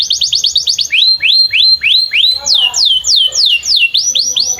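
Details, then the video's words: Canary by a field singing tutor song for young birds: a very fast trill of falling notes, then rising hooked whistles about twice a second, then descending sweeps, with faint soft chatter below. "kenari gacor panjang samping ladang , TERAPI AMPUH Kenari MACET, Pancingan Kenari Paud Belajar Bunyi"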